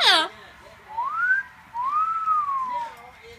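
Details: An indoor pet double yellow-headed amazon calling because it wants attention. A brief loud raspy squawk opens, followed by two smooth whistles, the first rising, the second a long arching note that slowly falls.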